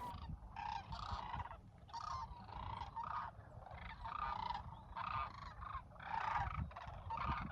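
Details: Thousands of wintering sandhill cranes at a campsite in Willcox, Arizona, bugle constantly in a dense chorus of rolling, trumpeting rattles. The calls overlap in waves about every two seconds over a steady low rumble, and one call sets all off.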